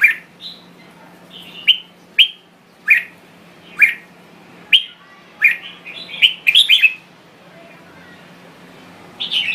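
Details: Thai red-whiskered bulbul singing: short bright warbled and chirped notes, many sweeping downward, come in spaced bursts about every second, with a quick cluster near the end and a faint steady low hum underneath.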